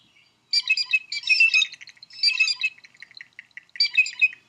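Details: Blue Jay imitating a Red-shouldered Hawk: three harsh, high, screaming bursts with short pauses. The mimicry forces other birds to flee so the jay need not share food it has found.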